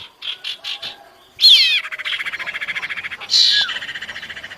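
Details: A female common iora calls the male: three short repeated notes, then a sharp downward sweep leading into a long fast pulsing rattle of about two seconds, and a second sweep with a shorter rattle.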